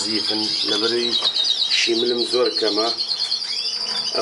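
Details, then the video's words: Melanin canary delivering a continuous high, rapid trill that changes pace partway through, with a man talking loudly in short phrases underneath. "كناري ميلانين"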